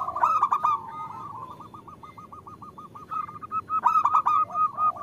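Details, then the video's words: Caged local zebra dove in Indonesia, the female calling to the male: loud clicking trill, then a long even string of quick beaded notes at a steady pitch, ending in another louder rolling burst. "Suara Perkutut Betina Memanggil Jantan"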